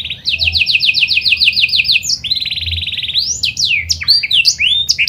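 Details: Panda canary, a pied variety, in full song used as a lure for other canaries: a quick run of repeated sliding notes, a dense buzzy trill, then tumbling whistled upslurs and downslurs high in pitch.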